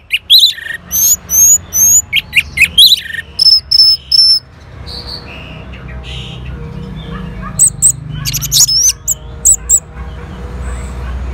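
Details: Orange-headed thrush responding to a played lure: a fast series of bright, clipped whistled notes repeated about twice a second, a pause with soft background hum, then a further burst of high ringing notes.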